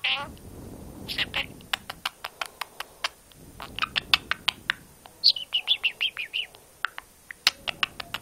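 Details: A tame, hand-reared six-month-old male pet budgerigar chatters in rapid, scratchy warbles, slipping in buzzy speech-like phrases, repeatedly saying 'scooby doo', among sharp clicks.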